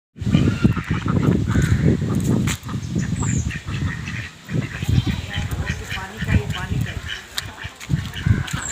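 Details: Duck running in a pond: harsh nasal calls in uneven bursts over heavy low rumbling and splashing-like noise, with short faint high squeaks near the middle and end.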